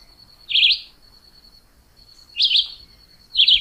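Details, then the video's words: Chivi vireo song: short, quick warbled phrases spaced a second or two apart, over a steady high insect-like whine. "Canto do pássaro juruviara"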